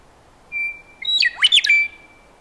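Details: Single western meadowlark song phrase: one long pure whistle, then a rich, bubbling run of fluty notes that swoop up and down before closing on a thin drawn-out whistle; no other sounds.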